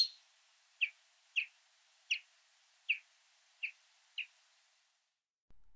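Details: A Common Chaffinch gives its flight call, uttered only in flight: seven short, soft, slightly rising notes at uneven intervals of about half a second, with no other sounds.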